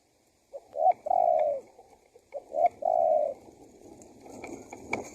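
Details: Spotted dove call used to lure wild doves in: two low phrases of a brief rising note and a long even coo, followed by several seconds of rustling background noise.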